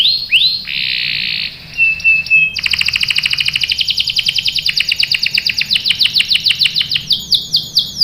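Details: Singing canary, a breeding-condition female calling the male: opening whistled slurs and a buzzy note lead into a long, fast, even trill of repeated sharp chirps lasting several seconds.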